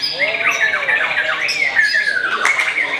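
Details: A young Oriental magpie-robin, still short of champion level, sings before breaking the Ramadan fast: looping whistled phrases that rise and dip, ending in a long descending slur.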